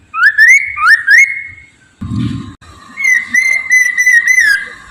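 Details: Steadily singing Poksay Mandarin laughingthrush, a lure recording meant to prompt others to sing. Upward-curling whistles are followed by a brief low rumbling thud, then a long, level, wavering whistled phrase.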